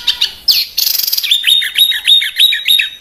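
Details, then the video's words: Small songbird (burcil besetan) in a harsh-style master recording used to tutor pet and contest birds; a short buzzy burst, then a run of sharp high chirps and quick downslurred whistles repeated about three times per second. "Suara Masteran Burcil Besetan Kasar"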